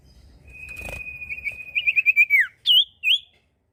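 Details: Common iora giving a long steady whistle that breaks into a quick trill and drops in a falling slur, followed by two short rising-and-falling whistled notes.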